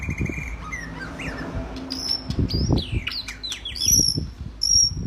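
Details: White-rumped shama singing energetically, used as a training recording for other birds: a steady high whistle, then clear descending slurred whistles and sharp high notes, with low thumping noises underneath throughout.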